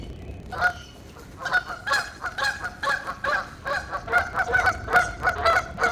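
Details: Several geese talking with each other in a mating call, starting with scattered nasal honks that build into a dense, overlapping chorus of honking toward the end.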